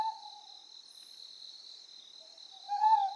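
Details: A Ryukyu scops owl on Amami Oshima, Japan, gives one hoot at the start and another near the end, short and slightly rising, with insects droning high above.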